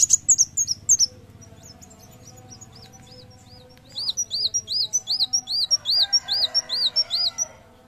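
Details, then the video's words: Sunbird in full song, used as a tutor recording for training other birds and to lure them: sharp, very high notes at first, then a long run of evenly repeated, arched, whistled notes, each about half a second apart. "Kolibri Wulung Gacor ! Masteran sekaligus pancingan bunyi"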